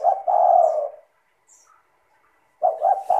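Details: Spotted dove (tekukur) singing as a lure for other doves: a drawn-out mellow coo, about 1.5 seconds of near silence with a faint distant chirp, then a new phrase opening with quick clipped coos.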